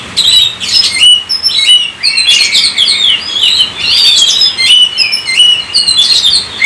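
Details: Oriental magpie-robin pouring out 'gacor' song meant to set other kacer singing: bright whistles and sharp chips repeated in quick runs, loud bursts with brief gaps between them.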